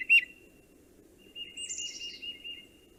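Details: Tufted Titmouse song, often rendered 'peter peter peter': a sharp opening chirp, then a quick run of clear whistled notes, with a thin, high descending sound over them and a low background hum.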